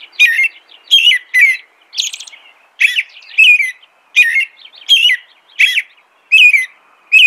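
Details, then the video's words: Steady American robin caroling, about eleven whistled slurred phrases in seven seconds, each note falling and rising, with one higher squeaky note early on. "American Robin Song.(Turdus migratorius)."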